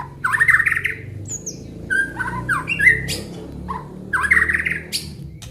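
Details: White-rumped shama, Aceh form, singing with isian: rich slurred whistles rising in pitch alternate with short piercing high notes and flat whistles, over a steady low rumble.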